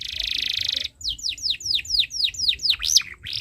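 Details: Canary singing as a model for young learners, opening with a harsh buzzy trill, then a steady series of about nine sweeping down-slurred whistles, each roughly a quarter second apart, ending in a twisting note.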